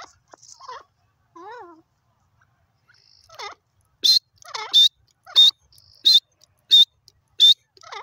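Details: Grey francolin (teetar) giving soft, wavering lower notes, then loud, piercing high whistles repeated about every two-thirds of a second, with quieter wavering notes between them.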